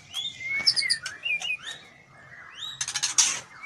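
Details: Breeding-condition female white-rumped shama, fluttering and asking to be mated, utters a run of rising and falling whistled notes mixed with thin high chips and a burst of dry rattling chatter near the end.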